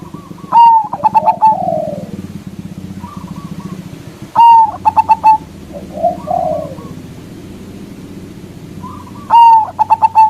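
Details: Loud local zebra dove, a lure to draw rival doves: three whistled phrases with rapid clipped coos, about twelve per minute, separated by soft rippling trills over a steady low mechanical hum.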